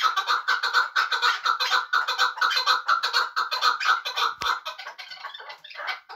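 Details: Chukar partridge from Muminobod kept for hunting, calling in a fast, even series of harsh chuk notes that thin out after a brief knock near the end.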